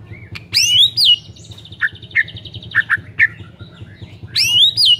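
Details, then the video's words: White-rumped shama song meant to make a silent shama sing: loud sweeping whistles at start and end with softer short chirps and a buzzy note between. "PANCINGAN MURAI BATU GACOR , 100% EFEKTIF UNTUK PIKAT MURAI MACET"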